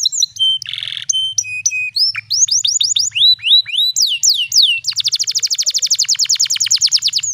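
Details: A canary sings a special cengkok-style luring song for training young birds: flat whistled notes and a short buzz, upward swooping slurs, then a long rapid rolling trill.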